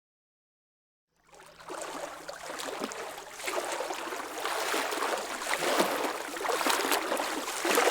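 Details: After about a second of silence, rushing, gurgling water comes in and steadily grows louder, with no animal voices heard.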